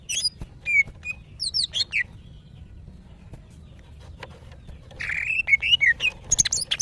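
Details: Calling to males, a kept female greater green leafbird in breeding condition gives scattered high whistles and chips, falls quiet for about three seconds, then resumes with a dense, rapid series of buzzy and whistled notes.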